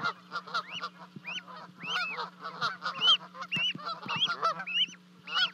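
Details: Charlo, Montana, 12 May 2020: two goslings that leapt from a 30-foot osprey nest call near their parents, livecam audio. Irregular high, upward-curving whistles come amid rough, lower calling, with a constant hum.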